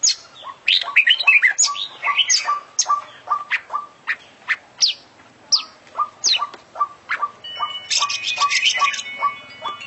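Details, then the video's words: Oriental magpie-robin (kacer), a champion bird, singing full 'isian': opening burst of tangled warbles, then sharp high whistles spaced among steady lower chips, ending in a scratchy buzzing chatter. "Full Isian Juara Internasional Burung KACER Gacor"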